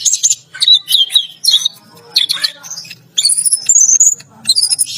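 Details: Bathing in a cage, an orange-headed thrush delivers 'teler gacor' song: quick whistled notes slurring up and down, clustered in bursts with brief gaps, and a long high wavering whistle in the middle.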